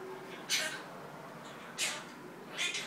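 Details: Pet monk parakeet chattering nonsense: three short, bright, harsh bursts about a second apart, each rasping and high-pitched, over a quiet indoor background.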